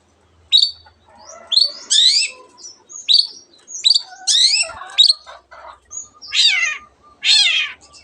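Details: Long-tailed shrike singing with borrowed canary and other bird sounds: a varied string of high whistled and buzzy phrases, ending in two loud rasping trills.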